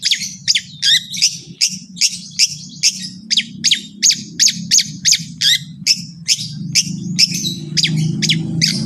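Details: Long-tailed shrike song used as a tutor to make other shrikes sing: a fast, steady series of harsh, scratchy notes, about two and a half per second, over a persistent low hum.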